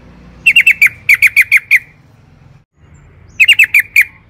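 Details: Sooty-headed bulbul singing in rapid long-trill style to lure other birds: short bursts of four quick sharp chirps, repeated after brief pauses, with a low rumbling background.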